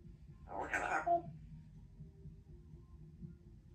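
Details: A young female Congo African grey parrot kept as a talking pet speaks a single short, word-like phrase of about half a second in a clear, human-sounding voice, followed by quiet room hum.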